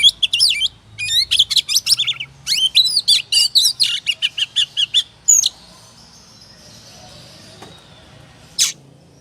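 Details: Oriental magpie-robin in ngobra style, used as a lure to provoke singing: about five seconds of rapid, varied whistled and chirping phrases, sharp up-and-down notes, then near silence with one final loud burst.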